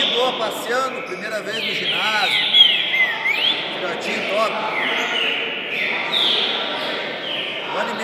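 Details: A one-year-old green-winged saltator on its first outing from home to a singing circle, 4 August 2019, sings loud, clear slurred whistles in rising and falling repeated phrases over murmuring voices and echoing indoor noise.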